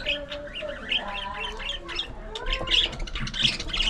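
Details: Pet budgies in a lively squabble and play, harsh squawks and quick warbled chirps tumbling together, repeated in uneven bursts by several birds.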